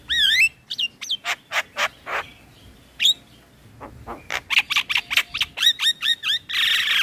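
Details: Male Javan myna song used to train young mynas: an opening looping whistle, a regular run of dry clicks, then quick repeated upslurred whistles and a closing harsh hiss.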